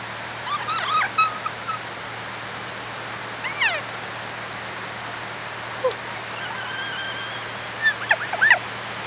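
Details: Kea, the alpine parrot, giving scattered shrill calls: a brief harmonic-laden cry early on, a loud downward-sweeping screech, then a cluster of sharp rising squawks near the end, all against constant low hiss.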